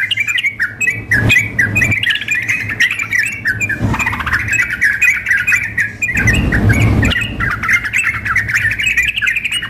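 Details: Sooty-headed bulbuls in a contest simulation, a female calling a male with a raging singer; sustained jumbled chatter of quick notes and slurred whistles, cut by noisy gusts, with a low hum throughout.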